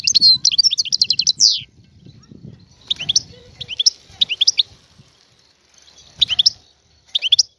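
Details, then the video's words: Free Algerian goldfinch gives one rapid twittering phrase, then scattered short chirpy bursts of two to four notes over steady low rumbling noise. "تغريد طائر الحسون الحر"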